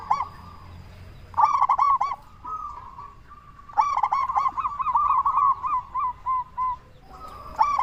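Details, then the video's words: Local zebra dove with a big voice, used to bait others into answering: clusters of rapid, ringing staccato coos alternate with rolling trilled phrases, the notes slowing into evenly spaced single coos near the end. "Perkutut Lokal Gacor SUARA BESAR Ahlinya Bikin Semua Burung Perkutut Langsung Nyaut"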